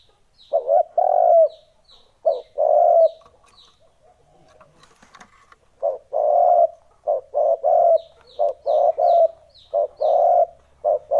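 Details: Spotted dove lure sound for attracting wild birds: repeated low coos, mostly stuttered double notes and drawn-out coos, closely spaced in the second half, with faint high chirping notes from other birds.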